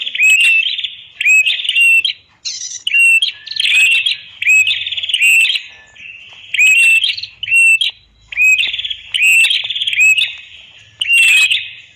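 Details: Red-headed prinia song used to train other birds: a long series of loud, high, repeated phrases of quick trills and short whistled sweeps, each about a second long with brief gaps.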